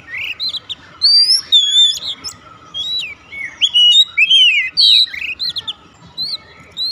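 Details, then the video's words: Oriental magpie-robin (kacer) singing 'nembak' from the start, with dense, rapid bursts of varied chirps, slurred whistles and twisting notes about twice a second. Short gaps separate the phrases. "kacer langsung nembak"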